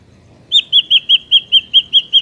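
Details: Ashy drongo song from nature, used as a trapping lure: a clear whistled note with a short upward flick, repeated nine times at a quick, even pace of about five per second.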